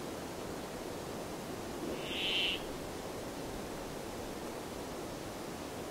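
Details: One rasping, nasal buzz from a brambling, roughly half a second long, standing out from constant broadband hiss, with nothing else clearly audible.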